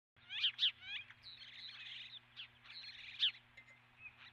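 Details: Osprey at the nest, picked up by a nest camera: sharp descending chirps in quick pairs, followed by slurred whistled notes and a further strong chirp, over a steady low electrical hum.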